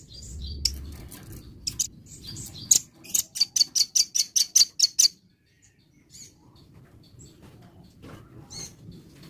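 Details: Morning song of a velvet-fronted nuthatch: high, sharp chips building into a quick run of about ten evenly spaced notes, followed by scattered single chips, with a faint flutter and low background noise.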